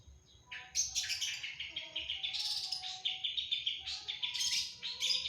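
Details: An energetic long-tailed shrike delivers a varied, mimic-filled stream: fast scratchy chatter and buzzy twittering notes running almost without a break for five seconds, with a faint hum underneath.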